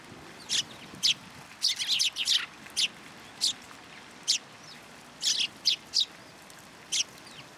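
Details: Sparrows at a shrine on 16 February 2023, coming to a feeding platform for food: short, bright chirps, singly and in quick clusters of two or three, spread unevenly across the recording over a soft, steady background hiss.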